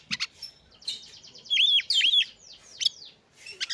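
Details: Song of an Oriental magpie-robin used to agitate and arouse other magpie-robins; sharp clicks and a fast run of chips give way to loud swooping, looping whistled notes and scattered high calls.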